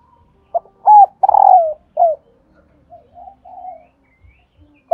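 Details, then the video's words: Spotted dove hen's call, meant to spur cock birds to coo: short note, hollow doubled coo, long rolling downward coo and a brief final coo, then soft low chatter and a new note beginning. "hãy mở ngay Tiếng cu mái này"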